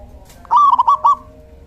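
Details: Male local zebra dove giving one song phrase, used as a decoy for catching zebra doves: a faint click, then a rising coo running into four rapid, bubbling notes.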